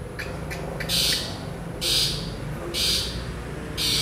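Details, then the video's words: Long-tailed shrike singing actively, its song full of mixed phrases, kept as tutor material for training shrikes: loud harsh buzzy bursts roughly once a second, separated by quieter gaps, over a low steady background hum. "CENDET GACOR FULL ISIAN ASLI"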